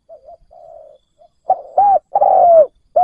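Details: Kept decoy spotted dove calling to lure wild doves: soft, quiet murmured notes, then louder coos begin, a short hooked note followed by a long, drawn-out, slightly falling coo and another hooked note.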